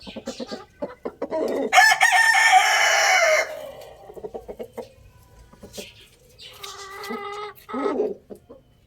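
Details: Rooster crowing loudly: a long, strained, harmonic-rich crow lasting nearly two seconds. Scattered clucks and clatter come before it, and a second, shorter crow-like call follows near the end.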